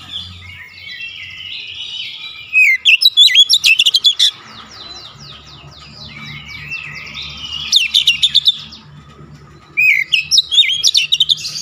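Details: Oriental magpie-robin in a "nembak" shooting song display, loud rapid bursts of sharp staccato notes alternating with sweeping whistles and warbled phrases, three intense bursts in all.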